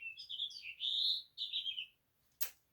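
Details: Recorded house finch song, a bird said to live around houses and in parks, played for children; rapid warbling high notes in two jumbled phrases ending in a downslurred trill, followed by a sharp click.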